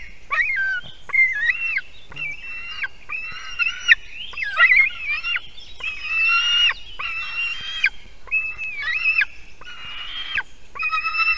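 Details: Screaming white-tailed eagle eaglet at a Latvian nest in Durbe Municipality, early morning in July 2023, after a parent arrives with fish; broken, squealing and wavering shrieks of uneven length, some with quick up-and-down turns, delivered in a rapid irregular run.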